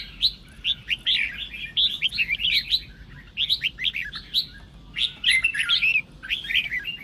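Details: Red-whiskered bulbul in Sông Kôn singing style, used to provoke competing birds; bursts of fast chattering whistles in three main phrases with short gaps, sharp clicks above.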